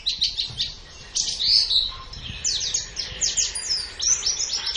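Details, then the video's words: Long master recording of a white-eye singing, meant for training contest songbirds: dense high twittering with sharp downslurred chirps, a brief lull near the one-second mark, then quick bursts of piercing notes. "Ocehan Suara Burung Pleci"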